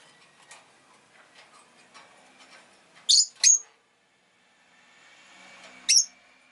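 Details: Rosy-faced lovebird making piercing, harsh chirps: two close together, then after a pause a single sharp note, with soft scratching and rustling in the background.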